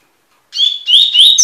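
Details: Double-collared seedeater (Sporophila caerulescens) singing tui tui for song tutoring: after a short silence, a loud clear whistle and two rising slurred notes, the phrase cut off as a buzzy note begins.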